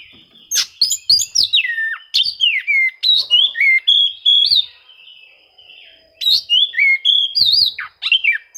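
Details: Oriental magpie-robin singing to seek rivals, used to provoke quiet birds into singing: rich run of whistled, swooping notes with sharp clicks, about three to four phrases a second, a brief pause midway before resuming.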